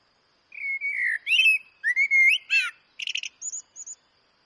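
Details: A Eurasian blackbird's song phrase of rich, slurred fluting whistles, some swooping downward, followed by a quick rattled chatter and two thin high squeaks at the end.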